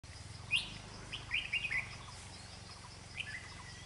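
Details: Red-whiskered bulbul, an old wild bird with a dark bib, used in trapping and noted for a fast, quick-beaked voice; a few short bright chirped notes in scattered bursts over a steady low background hum.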